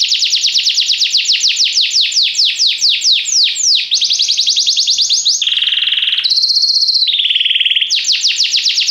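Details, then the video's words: Yellow Belgian canary, praised as a golden-throated singer, delivering a loud high song: fast repeated downward-sweeping notes, then a buzzy low trill, a steady higher trill, another low trill, and a return to rapid sweeps. "canário belga amarelo se destacando no canto, gogo de ouro"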